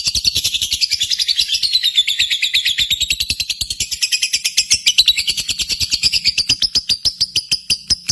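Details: Continuous lovebird contest song: a relentless, quick rattle of sharp chirps with a high, buzzy, undulating trill riding above, dipping and rising again throughout.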